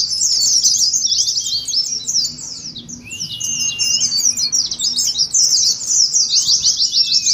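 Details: Pleci, Oriental white-eyes, singing ngeriwik for contest-simulation training: shrill, fast jumbled chirping about three notes a second per phrase, dipping briefly, with a sliding whistle and rising again to a dense chatter.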